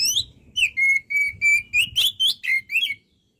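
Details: Oriental magpie-robin (kacer) pouring out energetic training song: about nine steady, flat whistled notes in three seconds, some rising or bending at the end, over faint low background hum.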